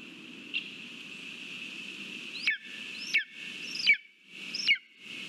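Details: Lesser spotted eagle at the nest with a delivered mouse, Latvia, 13 August 2023. Four sharp, upslurred whistled yelps spaced under a second apart cut through a constant hiss.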